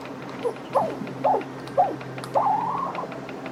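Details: Young captive female crow, rescued after a storm with torn wing ligaments and a throat damaged by a cat, making her first sounds: soft, wavering, nasal notes repeated about every half second, rising and bending in pitch, over a steady low hum.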